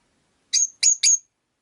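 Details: Caged rosy-faced lovebirds, five kept together indoors: three sharp, high chirps in quick succession, the last two nearly joined, over an otherwise silent background.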